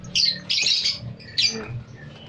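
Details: Lovebirds kept in a lovebird storage building give harsh, shrill squawks in three quick bursts over two seconds, high-pitched and grating, over a faint low indoor hum.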